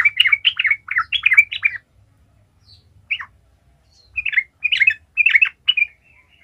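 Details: Sooty-headed bulbul, energetic lure song to set other bulbuls singing: a rapid cluster of liquid warbled notes for two seconds, a lone chirp after a pause, then three short chattering phrases.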